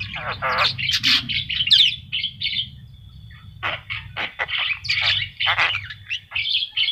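A Javan myna sings a lively, varied jumble of harsh chatters, squawks and clear whistles, barely pausing, over a faint low hum.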